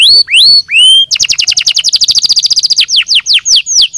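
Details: Canary singing, played to stimulate singing: high rising whistled notes, then a fast rapid-fire trill of sharp repeated notes, ending in a series of slower downslurred chips.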